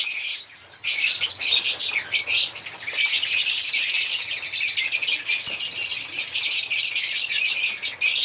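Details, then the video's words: African lovebirds singing: after a short pause, a steady stream of high, buzzy chirps and squeaky twitters keeps going to the end. "African Lovebirds singing and chirping sound"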